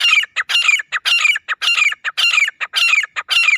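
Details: Francolin (teetar) call used as a hunting lure, recorded in a forest setting: loud harsh grating phrases, each a burst of scratchy notes ending in a falling squeal, repeated almost twice per second with brief silences between.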